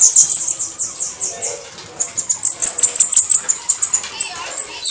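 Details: Bananaquit, known as cambacica or sibite, singing a 'canto de foguear': high, sizzling repeated notes over a hissy, noisy background, with the pace quickening in the second half.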